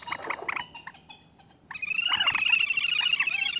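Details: Common moorhen: a few soft clucking notes and short pauses, then a loud, sustained, rapidly stuttering chatter that runs to the end.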